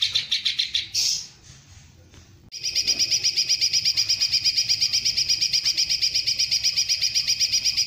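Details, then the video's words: Greater green leafbird singing long rapid 'tembakan panjang' shots with kingfisher-style fill-ins: a short burst of high notes, a near-silent pause, then a sustained fast run of sharp repeated chips from about two and a half seconds on. "cucak ijo tembakan panjang"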